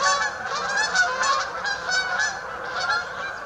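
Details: At St Anne's Lagoon a Canada goose flock gives loud, separate honks in an uneven run over a constant chorus of other geese.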